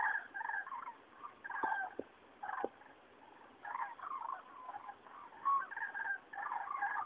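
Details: Cranes flying over Rochechouart in France on 15 February 2013 during spring passage; several birds give rolling trumpeting calls in clustered bursts separated by quiet pauses, plus a few faint clicks.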